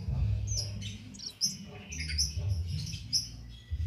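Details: Cit keres bird singing steadily as training material for songbirds, with no stimulants given. Sharp, high whistled chirps repeat several times over a constant low droning background.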